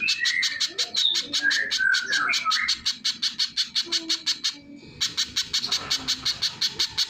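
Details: Rapid, sharp chipping of a little spiderhunter mixed with varied whistled phrases from another bird. The series stops briefly, then resumes at about three notes per second.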